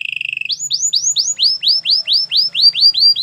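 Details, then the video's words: Singing canary, recorded as a training song for canaries: a rapid buzzy rattle gives way to upswept whistles, then a slower series of arching, falling notes repeated about twice a second. "Canary's most powerful song for training - The best canary sounds"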